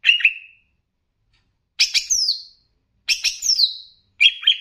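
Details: Greater green leafbird from Banyuwangi, a master recording meant to raise the bird's fighting mood, mixed with bebeci-style phrases: short bursts of whistled notes with sharp downward-sweeping slurs, separated by clean silences.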